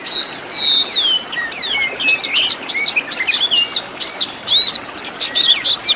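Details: Oriental magpie-robin master song rich in fill-in phrases, meant for training caged birds: loud, varied whistled notes, looping slurs and sharp chirps in quick succession, high-pitched, with brief pauses between phrases.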